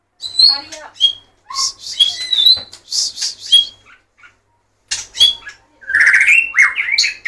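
White-rumped shama singing a rich, varied run of clear whistles, quick trills and harsh chattering notes in bursts separated by short pauses.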